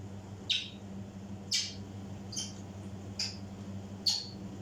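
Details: African grey parrot mimicking, producing five short harsh squawks spaced about a second apart, each a brief noisy burst, with a constant low electrical hum indoors.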